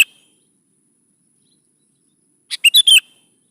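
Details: Sooty-headed bulbul song used as a lure to prompt young bulbuls to answer and sing: after near silence, one brisk phrase of four bright, chattering whistled notes with falling slurs near the end.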